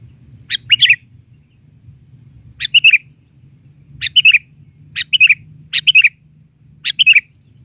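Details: Kutilang, the sooty-headed bulbul, singing persistently in an isian bahari version: bright chirped phrases of two or three notes repeated about every second, with a soft low hum behind.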